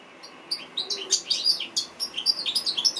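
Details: After a brief quiet start, an African goldfinch bursts into rapid, high, twittering song with clear whistled and buzzy notes tumbling quickly one after another.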